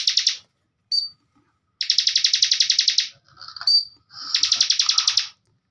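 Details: Bar-winged prinia song used as a master recording for training cage birds: fast buzzy trills of rapidly repeated high notes in bursts of about one to one and a half seconds, separated by short pauses and a few thin whistled notes.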